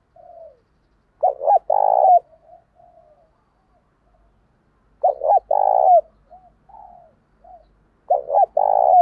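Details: Spotted dove calling as a lure for wild doves that coo back in contest; three loud phrases roughly every four seconds, each a short stuttered coo followed by a long hollow note, with quieter soft coos between.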